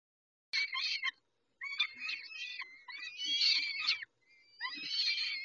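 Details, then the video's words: Peregrine falcons at Dobra during a feeding at 11:48, dated 19-05-21. Three bursts of harsh, harmonic, screechy calls with wavering pitch, separated by short silences, then a fourth burst after a gap. "Sokoły - Dobra karmienie o 11.48 19-05-21"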